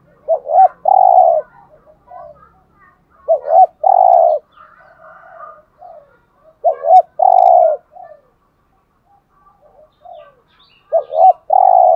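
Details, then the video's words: Spotted dove's 'hạp bổi' cooing, played to stimulate caged males to call: four regular phrases, each two brief curved notes and one long low coo, separated by quiet gaps with faint chirps. "Tiếng Cu Gáy Giọng Hạp BổI ĐỦ BÀI { GÁY GỌI,THÚC,GÙ } Kích Bổi Nhanh Nổi"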